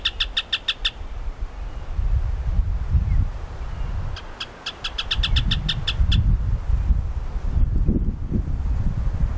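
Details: Rufous hornero in Lomas de Arena Park, Santa Cruz, Bolivia: a quick burst of sharp, evenly spaced piping notes, then a longer, faster run of the same notes a few seconds later, over a constant heavy low rumble.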